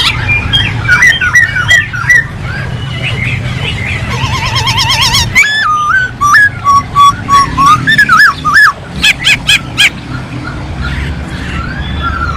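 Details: Masked laughingthrush in full song: a long varied run of whistled slurs, a rapid warbling trill, clipped zigzag phrases and several sharp harsh notes, over a steady low background hum.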